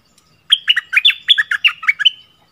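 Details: Bulbul training song in the double-phrase style, a lively phrase of rich whistled notes that swoop down and bounce up, about ten notes in two seconds, with clear silence before and after.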